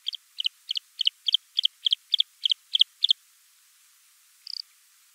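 A Bluethroat sings a fast run of about eleven ringing double notes, three a second, then a brief high buzzy note after a pause.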